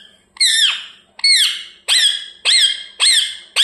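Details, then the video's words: Pet parrot chirping indoors: six loud harsh downslurred squawks repeated roughly every half second, steady and insistent. "Parrot chirping sounds"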